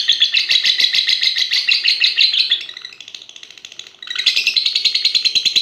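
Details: A six-and-a-half-month-old competition lovebird of fighter type delivers a dense, fast twittering trill that softens to a lower, quieter chatter midway, then surges back to full loud rapid pulses.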